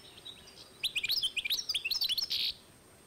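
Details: European goldfinch crossed with canary, 2012: a quick run of high, slurred chirping notes ending in a short buzzy rattle.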